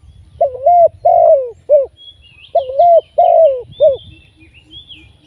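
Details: Spotted dove serving as a live trapping decoy, with two three-note coo phrases: a wavering coo, a longer falling one, and a short final note. Soft rustle and distant small-bird chirps accompany it.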